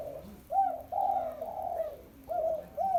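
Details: Spotted dove song at home: soft, throaty coos in a steady series, each note gently rising then falling, with short pauses before the final paired coos.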